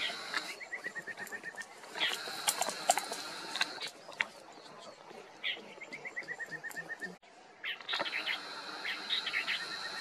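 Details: Marsh babbler at Maguri Beel, Assam, India, recorded in December 2023: two runs of about ten clear notes, each run stepping steadily downward in pitch, over a constant high buzzing band and scattered sharp clicks.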